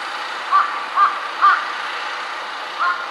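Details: Perched on a power line, a jungle crow that varies between four call types gives four rough caws, three spaced about half a second apart, then one more after a gap, with a constant hum behind.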